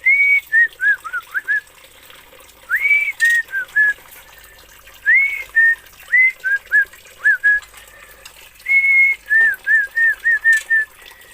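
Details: Oriental magpie-robin from Aceh sings repeated phrases. Each opens with a long upward-slurred whistle and continues with quick short whistled notes, in four bursts, with occasional sharp clicks.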